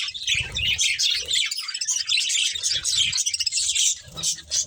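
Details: Colourful pet budgies chirping as they eat, a flock of high, quick twitters and warbled notes pouring out nearly nonstop, with low pecking and shuffling sounds beneath.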